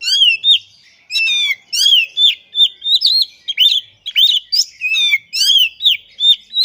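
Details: Oriental magpie-robin (kacer) in energetic, nonstop song with display (ngobra), unloading its borrowed repertoire (isian): a dense run of loud slurred whistles and rich harmonic sweeps, each phrase about half a second, barely pausing.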